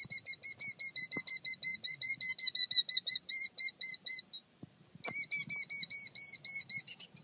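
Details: Killdeer, a male defending its nest while the female stays calm: rapid series of shrill, high piercing notes with harmonics, repeated about five per second, pausing near four seconds then resuming just as intensely; faint low rustling underneath.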